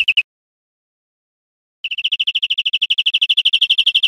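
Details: A European Greenfinch in Spain, 2013: a quick trill fragment, a pause, then a long even series of bright rolling notes building in loudness.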